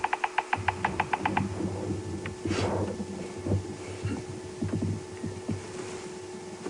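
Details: During a morning safari drive at Djuma Game Reserve on June 9, 2015, a bearded woodpecker drums a quick, even roll of about nine sharp taps on a hollow branch to mark his territory, followed by a vehicle's hum and a man speaking.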